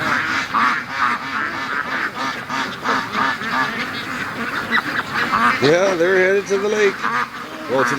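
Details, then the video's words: Free-range ducks' Sunday morning rush, a thick clamor of quacks from the flock, joined near the end by a few higher, wavering tonal calls. "Ducks' Morning Rush Is Getting Faster & Faster"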